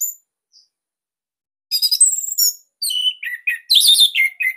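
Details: Orange-headed thrush song used as a master recording for training captive birds. After a quiet opening come rapid, varied high whistled phrases with quick slurred notes and trills, dense and loud toward the end.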